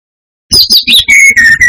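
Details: Brown-chested jungle flycatcher singing hard in a lure recording aimed at rival flycatchers: a few high sliding whistles drop into a run of steady, lower sustained whistles with tiny breaks between them.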